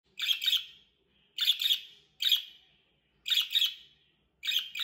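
A budgerigar gives harsh, scratchy double chirps, repeated roughly once a second.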